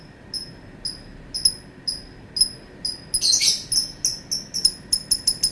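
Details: Lovebird giving short, sharp high chirps about twice a second, then a brief harsh burst of chatter followed by faster clipped chirps; steady faint hum in the background.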